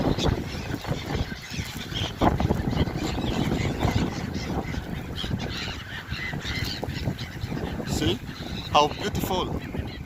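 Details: Gulls by the Scheldt, Belgium, jostling for thrown bread: loud honking, laughing squawks with a few sharp high cries near the end, over low rumbling background and a man talking.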